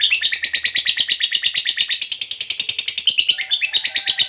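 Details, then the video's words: Long chattering song of a lovebird fighter, used as a lure to rouse other lovebirds: a rapid, shrill, evenly pulsing trill of high notes carrying through, shifting slightly in pitch near the end. "Pancingan Suara Lovebird Ngekek Panjang"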